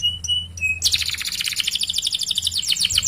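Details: Canary in full, lively song, used as a tutor to prompt other canaries to sing: a few steady whistled notes, then dense fast trills of rapid repeated chirps running without pause.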